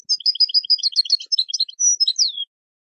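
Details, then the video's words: European goldfinch song for training birds: a fast liquid twittering run of high tinkling notes, ending in a clear whistled note and a descending buzzy slur, clean and without other sounds. "Learning the Melodies of European Goldfinches"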